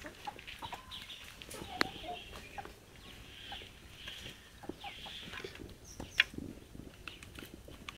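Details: Chicken: a rooster gives drawn-out, hoarse crowing phrases amid scattered clucks and yard noise from a 7-month-old flock that has started laying, in a new extended coop of almost a quarter acre; a man's voice is faint in the background.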